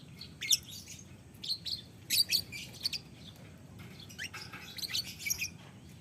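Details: Lovebird in the long 'ngekek' chatter style, a young bird recorded for song tutoring: quick bursts of thin, squeaky, high-pitched chirps, grouped in two busy spells, with faint low background rumble.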